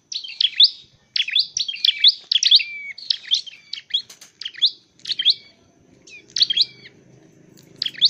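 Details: From a tailorbird trapping and training session, a dark-necked tailorbird delivers dense clusters of high, quick, twittering chirps with short pauses between groups, over a faint low hum.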